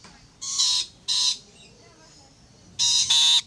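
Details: Rainbow lorikeets climbing a fence give harsh, rasping squawks, two short bursts and then a pair more after a brief quiet gap.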